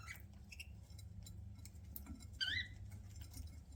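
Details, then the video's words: Pet budgerigar eating, giving one clear upward-sweeping chirp with bright harmonics about two-thirds through, with soft clicks and a few tiny chirps before it in a quiet room. "PARAKEET EATING SOUNDS"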